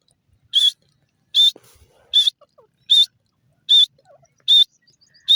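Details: Loud, shrill whistled notes of a grey francolin, the local teetar, repeated at an even pace of roughly one every 0.8 seconds, with faint soft sounds in the background between calls.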